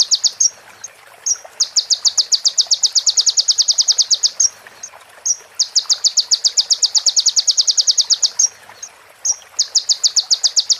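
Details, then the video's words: Tutoring track of sunbird song filled with female prinia and ciblek phrases for training caged birds: several sustained fast high trills, each a rapid even series of thin notes, broken by short isolated chips between bursts. "MASTERAN KONIN FULL ISIAN PRENJAK BETINA SAMBUNG CIBLEK BREN JERNIH JEDA ORIGINAL DARI SUARA KONIN !"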